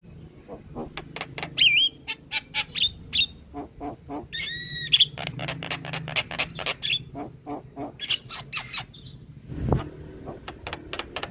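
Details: Black-winged myna, a white-eyed, head-nodding bird, singing vigorously in a training recording for cage birds: rapid harsh chattering clicks and rasps, a looping whistle early on, a buzzy rattling burst near the middle, and a low thump late in the clip.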